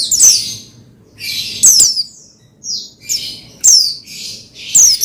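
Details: Oriental white-eye (pleci), a kept bird, used to stir another pleci into singing; high, thin bursts of sharp descending chirps between about 4 and 8k, in clusters roughly every second, with quiet gaps between.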